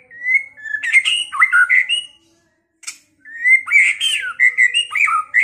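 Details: Caged white-rumped shama from Pekalongan, singing a rival-provoking song meant to spur fighting and singing: rich whistled phrases, sliding and looping notes mixed with sharp chips, a short pause, then a second burst of varied whistles.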